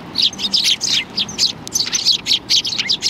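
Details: Several sparrows arrive to be fed at a Tenmangu shrine, 16 January 2020. Dense, busy chirping of many birds: quick high tweets tumble over one another almost without pause.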